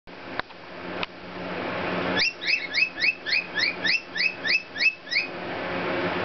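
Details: A pet rainbow lorikeet, indoors, sings to cockatiels: about eleven quick, bright chirps, roughly four a second, after two sharp clicks, over a low indoor hum.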